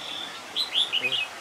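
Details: Red-whiskered bulbul singing as a decoy during trapping in Kim Bôi, Hòa Bình, Vietnam, 4 March 2019: a short burst of clear whistled notes, rising and falling, with a low background hum.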